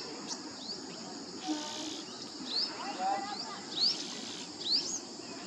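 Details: Asian green bee-eater (Merops orientalis) at ARAI hill, Pune, giving thin, high, rising chirps about once a second, over a steady high insect-like hiss and faint outdoor noise.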